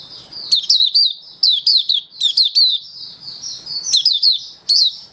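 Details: Kept Malaysian mata puteh, or oriental white-eye, recorded 27 February 2023 while slightly down in form, delivering lively buka song of clustered high chirps and thin descending twitters, with one held sweeter note near the end.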